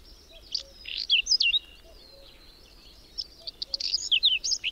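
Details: Whinchat singing in a May snowstorm with strong wind and sudden cold, at the edge of Berezinsky Biosphere Reserve's Domzhyritsy settlement, where several dozen pairs nest. Two short, high, scratchy phrases mix chattering notes and clear whistles over soft hiss.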